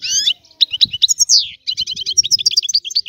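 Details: Song of a European goldfinch: a nasal buzzy opening, a descending slurred note, then a run of bright, quickly repeated twittering chirps.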